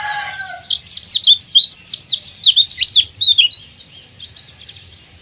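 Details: Excited white-eye in breeding condition calling rivals: a burst of fast, high, chattering notes, each a quick downward slur, building then fading into softer twitters after about three seconds.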